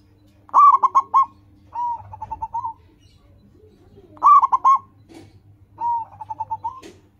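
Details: Local zebra dove (perkutut) singing, used to coax caged doves to sing: loud clipped coo bursts, each followed by a longer note and a run of quick softer beats, repeated twice.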